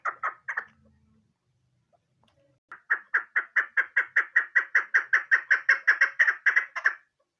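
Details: A female chukar partridge gives a hunting call: a fast, steady run of about fifteen harsh, clucking chuk notes after a few opening notes and a short pause.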